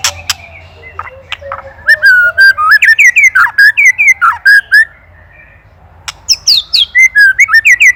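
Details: Master recording of an Indonesian white-rumped shama for training songbirds: clicks and soft notes lead into loud rich whistled phrases with warbles and upslurs, a short silence, then another run of bright notes.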